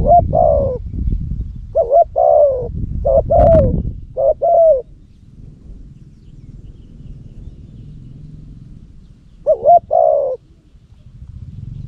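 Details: Decoy spotted dove in Cambodia, used for luring and praised for its strong voice. Several quick coo phrases come early over heavy low rumbling noise, then a long pause, and a single further phrase follows near the end.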